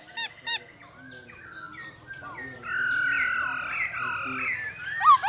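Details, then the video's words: Male laughingthrush singing with a female's calls, used to stimulate and train caged birds: two short stacked notes, then a long varied phrase of sustained warbling whistles with bends and a sharp rising note at the end. "Khướu trống hót múa cực đỉnh kèm tiếng mái ro kích"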